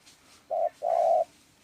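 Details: Dove calling with two mid-pitched cooing notes, a short coo followed by a longer drawn-out one, in quiet surroundings.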